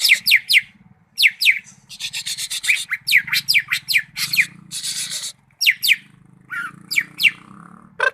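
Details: Greater green leafbird, Malinau, pouring out rapid falling whistles in twos and threes interleaved with long raspy, scratchy buzzes, with a steady low hum beneath.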